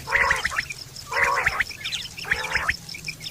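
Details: Quail calling, recorded September 2023, a sound used for hunting and mating: harsh, nasal, gargling bursts about a third of a second long, repeated roughly once a second, with faint high chirps between them.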